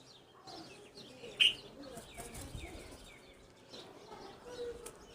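A Red-vented Bulbul gives short, scattered chirps and one sharp, bright note over faint background noise and a soft flutter.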